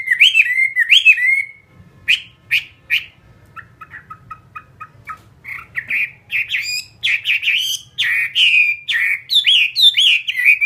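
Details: Caged Chinese hwamei of the Vietnamese fighting type ('họa mi chiến') in full song: looping whistled phrases, a run of soft, evenly repeated pips, then loud, rich, rapidly varied slurred notes.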